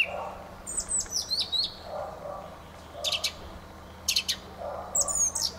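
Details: Fieldfare singing thin, squeaky, slurred whistles and harsh buzzy bursts in several short phrases, with soft low background murmur.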